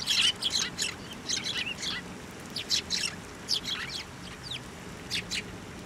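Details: Hand-fed sparrows at a Tenmangu shrine in late November 2023 utter scattered short, high chirps, singly and in small groups, with quiet gaps between and a faint low background hum.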